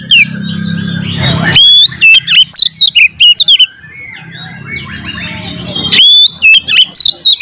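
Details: Fighting song of an oriental magpie-robin, played to provoke rival magpie-robins; loud swooping whistles and rapid staccato notes in two bursts, with softer warbling and a low hum between.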